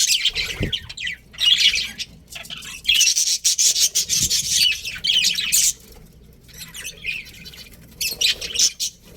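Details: Budgerigars in a breeding colony produce raspy, high chattering in loud bursts. A longer quiet stretch comes around six seconds before the birds start up again.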